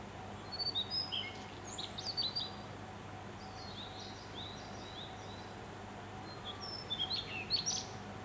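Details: Daurian redstart singing from fresh green treetops in Yamanashi, Japan, on 26 May. Short, high, thin warbled phrases of squeaky whistles come at the start and again near the end, over a steady low hum.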